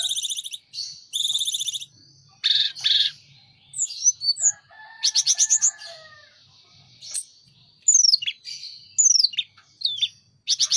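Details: Sunda robin in full, vigorous song with wings opened: bursts of fast high buzzy trills alternate with sweet whistles and quick downward-slurred notes, delivered in varied phrases with short pauses between them.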